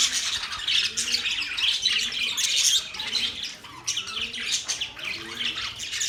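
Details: Chirping budgies: bursts of high, grating chatter that swell and fade, with low, soft rising tones recurring about every second underneath.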